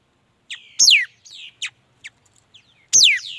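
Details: Short mi dat bird phrase: a level high whistle, then a loud steeply dropping sweep, a softer slur and quick high notes, ending with another strong downward sweep.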